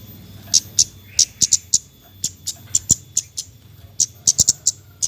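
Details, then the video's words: Javan white-eye calling in the nyecret style, used as a lure for birds reluctant to sing: evenly spaced, piercing high chips, some paired, about two to three per second, over faint low background hum. "BURUNG KEMADE NYECRET NYECRET"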